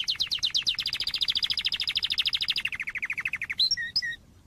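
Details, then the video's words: Canary singing, recorded as tutoring audio for young birds: a long rapid rattling trill that steps down in pitch in stages over three seconds, ending in a few separate whistled downslurred notes. "Masteran Kenari"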